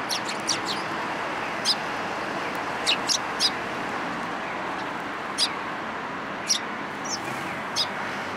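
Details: Sparrows trail a person for food near a community hall, 26 February 2023. Brief, bright chirps sound one or two at a time with irregular gaps, about nine in all, against constant low rumbling noise.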